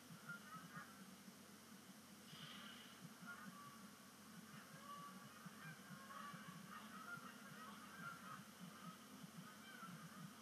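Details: Canada geese landing at Sapsucker Woods Pond at sunset on 5 October 2019, the first splashdown of the season as migration begins. Many geese call together in a steady, distant chorus of honks over a broad background hiss.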